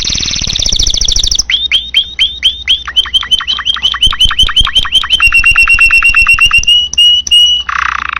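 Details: Domestic canary singing vigorously ('gacor'), recorded for tutoring other birds: a buzzy opening trill, then rapid tours of repeated rising-falling whistled notes, several per second, ending in steady high chirps and a brief harsh buzz.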